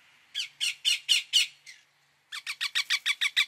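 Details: Indian ringneck parakeet giving a string of six drawn-out harsh screeches, a pause, then a quicker series of nine sharp rasping notes.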